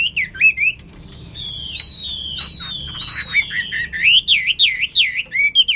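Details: Hwamei, called wambi, singing in a lively, nonstop style: loud looping whistles around 2–4k, a long wavering held note in the middle, then rapid up-and-down slurred whistles.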